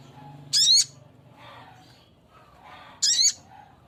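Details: Spiderhunter male calling to a female: two strong, harsh, nasal notes about two and a half seconds apart, with faint scratchy sounds between them.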